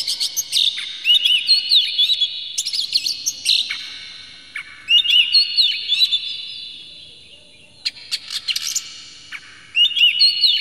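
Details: Lure song of an Oriental magpie-robin, played to agitate the bird and make it sing with its tail spread. Four loud phrases of rich, warbling, up-and-down whistles, each lasting one to two seconds, separated by quieter pauses.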